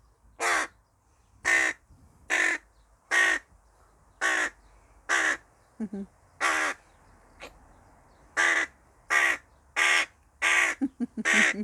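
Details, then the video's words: A tame hooded crow, noisy while eating, gives loud, harsh caws, about one per second in an uneven series, with a few shorter clipped notes mixed in; little else is heard. "the tame Hooded Crow makes alot of noise when he eats"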